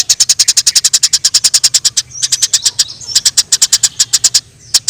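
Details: Eurasian tree sparrow fighting in the wild: a rapid, even volley of shrill chirps, then looser chirping overlapping faint smeared squeaks, ending in a short lull.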